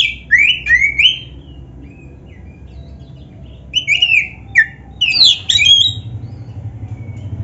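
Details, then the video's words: Oriental magpie-robin of the black-breasted form singing varied fill-in phrases for training birds: two quick groups of upslurred whistles, a quiet gap, then a busier cluster of sweeping and scratchy notes. "SUARA BURUNG KACER MASTERAN GACOR ‼️Full Variasi isian MEWAH"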